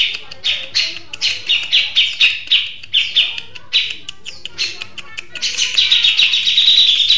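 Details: Grey-cheeked bulbul in full song, with rhythmic high chattering notes at a lively pace that swell into a denser, louder, more continuous burst near the end.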